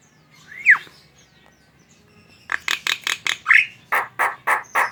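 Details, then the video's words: Javan myna song used to prompt other mynas to sing: a lone swooping whistle, a pause, then a run of harsh, buzzy clipped notes interrupted by another rising-falling whistle. "Suara burung jalak kerbau ngoceh"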